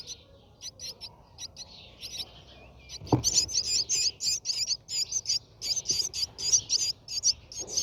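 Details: Inside a Brahminy starling nest during feeding: soft scattered high chirps at first, then a dull knock, after which loud, bright squeaky notes repeat rapidly in tight pairs and triplets.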